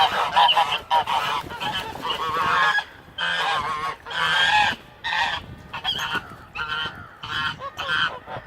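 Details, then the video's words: White domestic geese at a lake during a fight between two birds, others watching; bursts of harsh, rasping honks in clustered runs separated by short pauses, several geese calling together. "Geese Fighting Honking Goose Fight"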